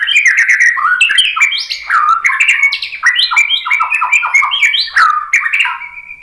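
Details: White-rumped shama singing to provoke other birds to answer: a continuous rapid medley of loud, clear whistled notes, upward slurs and sharp clicks, varying phrase after phrase without a break.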